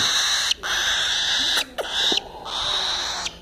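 Cockatiel giving long, harsh, screechy calls with a steady high whistled tone underneath, broken by brief pauses about every second.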